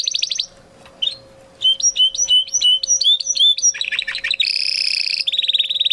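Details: Spanish Timbrado canary from 2020 breeding, training song: high trills, a run of repeated looping whistles, then dense buzzy rolls, over a faint steady low hum.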